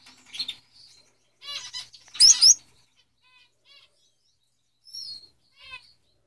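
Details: Male Gouldian finches, several birds; soft high chirps and buzzy trills in short bursts scattered across a quiet background, with one louder harsh burst in the middle.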